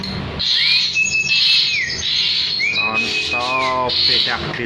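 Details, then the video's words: Asian pied starling held in the hand, singing in a loud, noisy setting: two long arched whistles, the second followed by a nasal, buzzy rattle and then a harsh burst. "JALAK SUREN GACOR"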